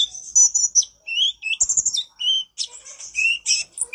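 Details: Master recording of a konin singing gacor nyrecet cerewet style: high thin whistles and buzzy chirps, some notes sliding down, delivered in quick bursts with a short pause before a fresh flurry.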